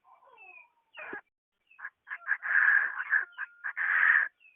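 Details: Calling female Chinese francolin attracting a male, 2021 recording: faint descending notes and a sharp snap, then a rising run of harsh clipped notes building into two loud rasping phrases.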